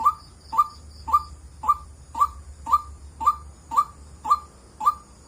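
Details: White-breasted waterhen (Amaurornis phoenicurus) calling a steady run of short, hollow mid-pitched notes, about two each second, over a faint high insect hum.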